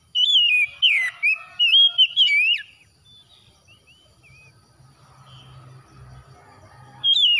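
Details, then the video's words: Oriental magpie-robin song heard after dawn, meant to calm stressed birds: an energetic run of looping whistled phrases in rapid bursts, then quiet with a low hum, and a final whistle starting at the end. "TERAPI KACER HABIS SUBUH PEMULIH AMPUH KACER SETRES CEPAT GACOR"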